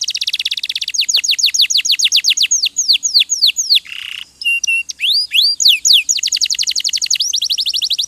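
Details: Canary, a kept songbird, singing a training song: a fast high trill, then a series of clear descending whistled sweeps, a brief buzzy burst, sharp chip notes and more quick sweeps.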